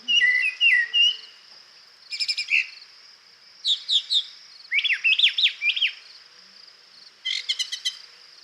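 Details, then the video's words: Brown Thrasher song, a bird that sang for 40 seconds without repeating a phrase: varied bursts of buzzy, chirping and slurred whistled notes in separate groups, each group different, with a steady high hiss behind. "that was a brown thrasher singing for 40 seconds and it did not repeat itself once during that time"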